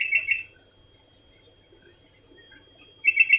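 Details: Sooty-headed bulbul calling nonstop, heard as two short bubbly whistled bursts, one opening and one closing the clip, with near silence between.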